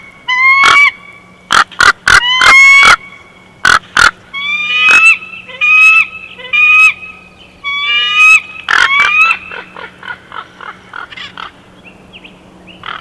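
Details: Chortle of a female bald eagle at the Big Bear Valley nest, 12 June 2021: a loud series of sharp, high piping notes and sliding squeals that fade into softer rapid chatter, over a constant low electrical hum.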